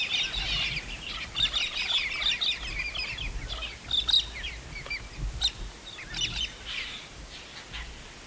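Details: Galahs in the Australian wild give a continuous stream of rasping, screechy chatter from several birds, with brief loud notes throughout and soft low rumbling beneath.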